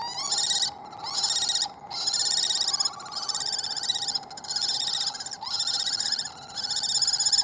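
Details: Resident female Common Kestrel, wild, chasing off a second female near the nest while the male is present. Loud, shrill repeated chattering in long bursts of about a second, separated by short pauses, over a constant low hum.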